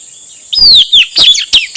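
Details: Male Asian fairy-bluebird song for luring wild birds: a sweeping, descending whistle, then a few brief bright slurred notes in under two seconds, over light hiss.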